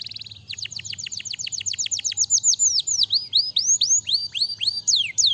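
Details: Canary singing a fast series of downward-sweeping whistled notes, about four per second, which shift into looping rising and falling phrases; no other sounds stand out.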